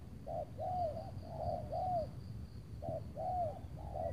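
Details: Spotted dove calling during a decoy trapping session near Tangerang on a gloomy afternoon; short groups of two or three deep hooting coos, the longer ones arching and falling, separated by a brief pause, a high insect drone steady.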